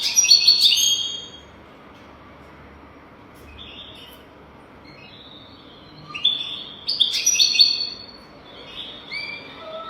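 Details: European goldfinch song for teaching young goldfinches: a loud opening burst of bright twittering, a long quiet gap with faint high notes, then another burst of buzzy, liquid twitters.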